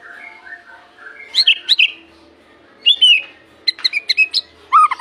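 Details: White-rumped shama song meant to lure other shamas into singing, morning and evening; gentle whistles interrupted by short loud bursts of sharp chirps and slurred notes, with quiet pauses between.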